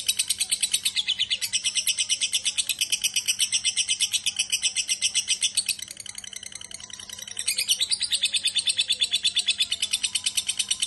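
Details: A lovebird delivering a sustained ngekek chatter, a continuous rapid rattle of shrill pulses that dips briefly in loudness midway and then resumes strongly, over a low steady electrical hum.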